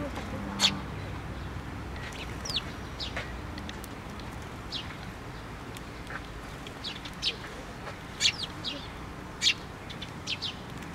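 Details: At a Tenmangu shrine feeder on a post, 24 June 2023, gathering sparrows utter scattered single high chirps, spaced irregularly across the recording, against a soft continuous low-pitched background noise.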